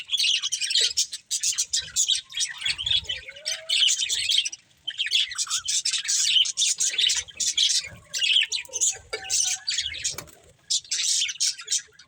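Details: Budgerigars kept as a breeding pair chatter continuously, a fast stream of scratchy high chirps and squeaky warbles in bursts separated by short gaps, with faint low knocks.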